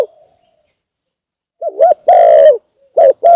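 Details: Spotted dove heard after a silent start, giving a wavering double coo, a long level coo and two short coos in quick succession, loud and close, for use as a lure.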